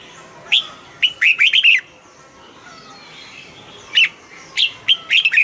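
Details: Caged red-whiskered bulbul gives a quick run of sharp, sweet whistled notes, pauses, then answers with a second similar run of rapid chirpy notes.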